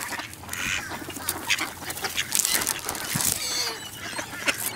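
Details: Flock of ducks at the Newburgh waterfront, fed shredded wheat on a 55 F day in November 2014, keeps up a dense, harsh stream of quacks with no pauses.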